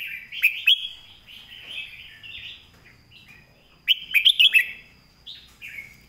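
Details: Red-whiskered bulbul singing a clear master song used to tutor other birds: short rich warbled phrases, with a burst of sharp rapid notes near the start and another around four seconds. A faint steady high whine runs throughout.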